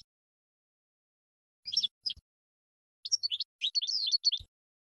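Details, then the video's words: European goldfinch song from a training recording for birds learning to sing: two short bursts of high, tinkling twitter separated by silence, with a brief low thump near the end. "GOLDFINCH 12h MAESTRO"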